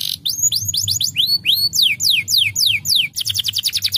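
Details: Canary song used to stimulate canaries to sing: loud, clear whistled notes sweeping downward, repeated about three to four per second, ending in a rapid high trill.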